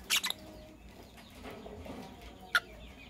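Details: A green Fischer's lovebird couple in the morning: a quick burst of two or three sharp, shrill chirps opens the recording, then quiet background murmur, then one more piercing chirp near the end.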